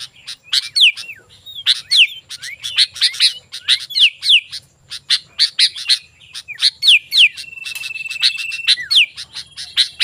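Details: Sooty-headed bulbul, lure recording for calling wild bulbuls: energetic mix of sharp ticks, chirps and falling slurred whistles, with one long level whistle held for about a second and a half.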